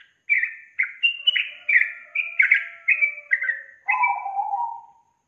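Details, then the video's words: Yellow-vented bulbul song, used to coax a lazy young bird into singing: about nine crisp, evenly spaced whistled notes near the same pitch, finished by a lower, longer buzzy note. "SUARA PANCINGAN BURUNG TRUCUKAN untuk memancing trucuk bakalan malas bunyi"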